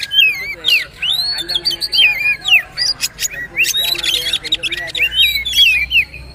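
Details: Poci trotol style song of a magpie-robin, meant for tutoring birds: a fast run of varied whistled slurs, rising and falling, mixed with sharp clicks and rattling notes throughout.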